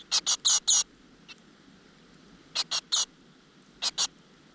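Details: Great tit nestlings in a nest in a rock crevice beg as their mother brings insects: bursts of sharp, high, buzzy chirps in quick clusters of three or four, separated by pauses, over a quiet background.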